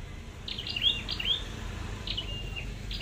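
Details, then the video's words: Red-headed flowerpecker in a trapping setting: a brief cluster of high, squeaky descending notes with bright ticks, then a single falling note and thin flat trill, over steady low background noise. "Bẫy Chim Sâu Đầu Đỏ"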